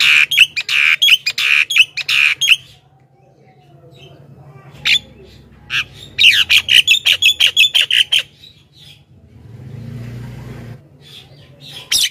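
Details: Javan myna song played to attract wild mynas: rapid runs of harsh, buzzy squawks, a pause with faint rustling, then another fast burst of about a dozen rasping notes.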